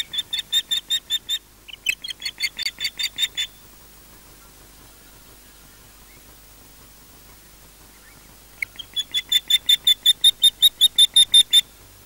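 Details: Wild ospreys at the Loch Garten nest in Scotland, 2013, defending the nest: two bursts of sharp, high chirps repeated rapidly and evenly, separated by a quiet pause of about five seconds.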